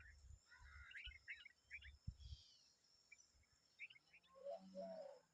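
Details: A common babbler and her young make noise: short, rising chirpy notes in quick scattered bursts, followed by lower, fuller calls, over low rumbling background noise.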